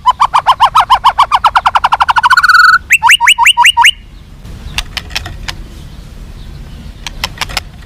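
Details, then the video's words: White-rumped shama song for making captive birds more fighting and responsive: an accelerating run of repeated notes rising in pitch into a fast trill, a few downslurred whistles, then sparse clicks and faint background noise. "SUARA BURUNG MURAI BATU FIGHTER"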